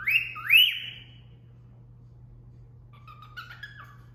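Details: Female cockatiel giving the cat call whistle her owner taught her: one clean two-note rising wolf whistle, then soft scratchy chirps and a faint warbled phrase over low hum.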